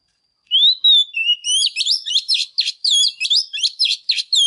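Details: Hen Oriental magpie-robin in intense song meant to rouse males: a few long clear whistles, then rapid twisting, warbled phrases repeated several times a second.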